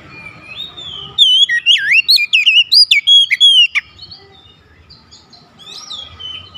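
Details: Oriental magpie-robin (kacer) sung as a rival challenge that stirs an opponent into unloading its repertoire: a dense two-second burst of looping whistles, buzzy trills and high chips, then softer scattered notes over low background hum.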